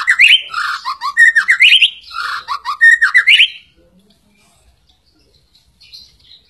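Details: White-rumped shama singing a lure song to make other shamas sing strongly: loud, varied phrases of rising and falling whistles and rapid warbles for about three and a half seconds, then near silence.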